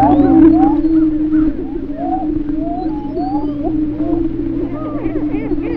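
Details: Male greater prairie chickens in Missouri, circa 1958, booming during their elaborate spring courtship display: a steady low hooting drone underlies many overlapping rising whoops and cackles from several birds.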